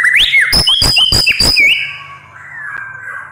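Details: A white-rumped shama delivers a fierce burst: a rising whistle, then a fast run of sharp clicking notes over high tones, ending in a long, level, fading whistle.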